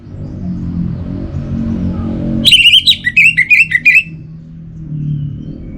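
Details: Orange-headed thrush kept in a cage, giving a rapid string of around eight loud whistled notes, wavering up and down, over a steady low mechanical hum.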